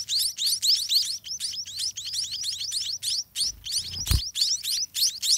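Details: Hungry scaly-breasted munia chicks begging in a dirty nest while their parents feed them throughout the day: a dense, rapid stream of thin upswept chirps, several per second, interrupted by a brief dull thump.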